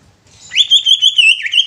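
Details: Greater green leafbird singing a phrase meant to provoke other leafbirds into singing and agitation: a bright, high whistled warble, sustained and wavering, with quick fluttering notes, one dip near the end.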